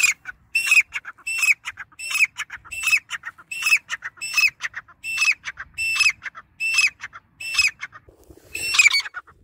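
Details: Grey francolin (dakhni teetar) call given nonstop: harsh, high, hooked notes each followed by a scratchy stutter, some twelve phrases in quick succession, the last one louder and rougher.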